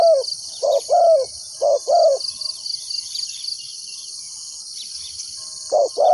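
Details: Decoy spotted dove calling to attract wild doves for trapping: several paired hollow coos, short then drawn-out and slightly falling, then a pause of a few seconds before calling resumes, with constant high-pitched insect buzz behind.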